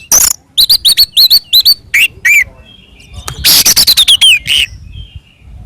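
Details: Oriental magpie-robin singing combatively to provoke others, beginning with a rapid string of bright repeated chirps about three per second, then a harsh rattling burst ending in a downslurred whistle.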